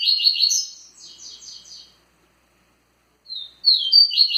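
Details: Tui Tui style song of a kept double-collared seedeater: a fast, buzzy string of high chirps lasting almost two seconds, a silent gap, then a new phrase starting with a thin note.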